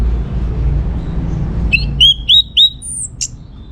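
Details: Orange-headed thrush singing, from Singaraja in North Bali, played to coax other birds into answering: four quick upslurred whistles in a row, a high thin note and a sharp click, after a stretch of low rumble.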